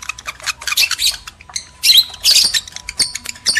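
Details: Lovebirds, male and female, in a recording played to stimulate breeding; sharp high squawks and chirps in short bursts, with a faint steady tone running underneath.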